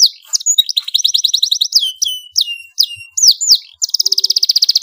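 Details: Vigorous domestic canary song meant to coax juvenile canaries into singing: sharp downslurred whistles alternate with short rolling trills, several strong swooping notes, then a steady rapid trill of crisp repeated pulses at the end.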